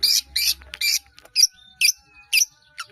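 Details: Harsh, scratchy notes from a caged long-tailed shrike, whose lively song rich in mimicked fills serves to train caged birds. Loud rasping bursts come first, then evenly spaced shorter squeaks with faint thin whistles between.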